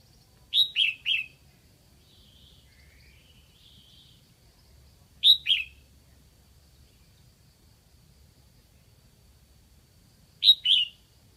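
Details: Captive red-whiskered bulbul used as a decoy in Lạng Sơn to attract wild birds, giving short loud whistled phrases of three quick notes roughly every five seconds, with a faint thin warble between phrases.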